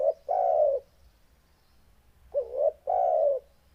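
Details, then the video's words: Spotted dove giving a deep, loud, bass-toned call: two low cooing phrases, each a short rising note followed by a longer, steady, slightly falling coo. The phrases come about two and a half seconds apart against a quiet background. "Suara Burung Tekukur NGEBASS Suara BESAR Dan GACOR"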